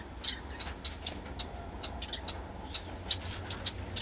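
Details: Several pet Gouldian finches resting and relaxing at home give short, thin, high chirps, one roughly every third of a second, fairly even in loudness, over a steady low background hum.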